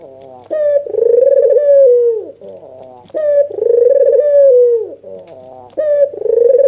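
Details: Emotional nodding coo of a white, red-eyed Barbary dove, used to provoke a rival to call. Two full rolling coos with falling endings, short lead-in notes, then the start of a third, recorded indoors.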